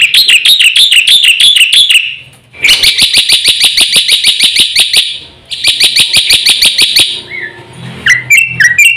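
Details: Black-winged myna giving a fast full song, used as a lure to make silent birds sing: loud harsh notes repeated about three times a second in long bursts, with high ringing overtones and a few whistled notes near the end.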